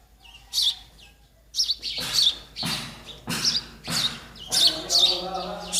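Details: Sparrow nestlings begging while they wait for their parents to bring food, giving sharp, high chirps in quick bursts that grow more frequent after a brief quiet start.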